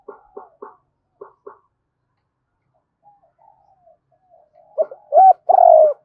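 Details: Spotted dove lure call in the double-note style. It begins with soft, spaced clipped notes, then a quiet pause with faint murmurs, and ends on a loud rising note and a long falling coo.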